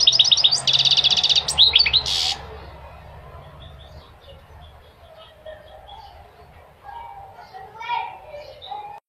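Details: Goldfinch gives a loud burst of dense, high twittering with a buzzy trill for about two seconds. Afterwards, faint distant chirps and twitters continue over quiet background.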